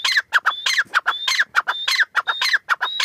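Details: Grey francolin, known locally as teetar or Irani teetar, calling in a fast rhythmic run of harsh clipped notes, each phrase topped by a short high whistled note, the pattern cycling roughly every half second with no other sounds.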